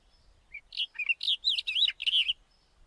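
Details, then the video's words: Brief White-tailed wheatear phrase: a thin upslurred note opens, followed by chattering notes and looping whistled figures, about 1.7 seconds of rapid, varied warbling. "Голоса птиц: белохвостая каменка"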